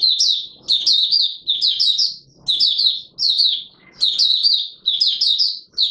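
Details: Song of an Oriental white-eye recorded on 24 March 2022: quick, high-pitched warbling bursts of slurred notes, each lasting about a second, separated by brief gaps and faint clicking in the background.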